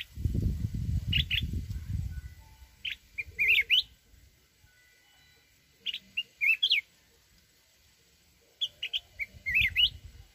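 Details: Red-whiskered bulbul from the mountains giving forest-style song. Bright, fluty warbled phrases of three to four notes, some sweeping upward, repeat about every three seconds over a low rumble at the start.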